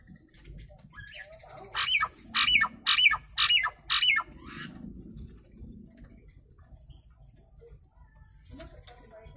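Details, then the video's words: Nias hill myna producing a steady series of five loud, coarse squawks spaced about half a second apart, each with a downward-bending tone, followed by faint background noise. "Suara Asli Burung jalak nias"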